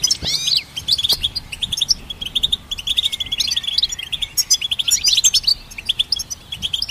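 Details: Rapid, chattering song of a goldfinch hybrid, kept for songbird training: a continuous stream of high, jingling twitters, buzzy trills and a few upward-sweeping whistled notes, pausing briefly midway.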